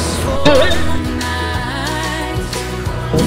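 Music with singing and steady low bass and drums throughout; no animal voice can be picked out.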